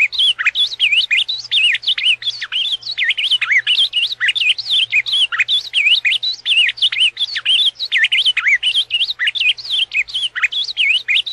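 Ultramarine grosbeak singing a rich, fast warble of sweeping, high whistled notes that runs almost without pause, with a faint low hum behind it.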